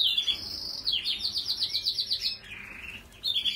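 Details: Song of a Yorkshire canary: a bright whistled opening, then a fast series of repeated rolled syllables, a lower buzzy sweeping phrase and a renewed high trill, with a faint steady hum behind.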